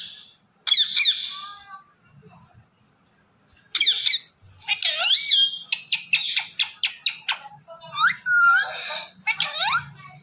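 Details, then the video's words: Talkative indoor Indian ringneck parrot produces loud squawky, speech-like phrases, then a rapid string of clipped syllables and rising chirps lasting several seconds, with quiet room hum underneath. "So Much Talkative Indian Ringneck Parrot"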